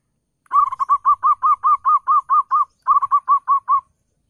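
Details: Decoy song of a zebra dove played to attract other doves, with rhythmic series of soft, rounded coos repeated about two to three per second, a short break, then a second faster burst of similar notes.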